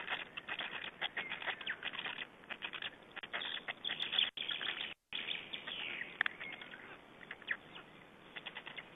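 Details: Black stork nestlings at a nest in Estonia during feeding, 20 May 2012: dense, rapid chirps and clicking notes, a busy overlapping chatter with a few brief gaps.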